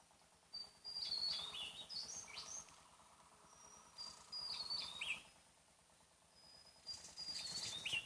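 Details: A wild Javan tesia on Java repeats its loud song several times, each a high drawn-out whistle tumbling into fast, squeaky, descending notes, over a constant rhythmic insect-like buzz.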